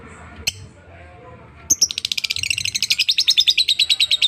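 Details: Lovebird singing hard, said to be in full, relentless voice: a sharp high chirp, then a pause, then a fast chattering trill of buzzy high notes that runs on without a break to the end.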